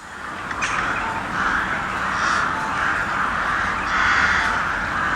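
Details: Very loud cawing from many crows, overlapping raucous calls swelling into a constant roar with stronger caws surfacing every second or two.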